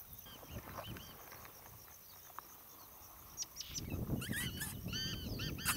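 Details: Rufous-tailed scrub robins at Shirvan National Park, Azerbaijan, 23 June 2013, agitated beside fledglings, reacting to a water snake. Faint clicks, then a burst of short, high, harmonic chirping notes in quick series, over low rustling background noise.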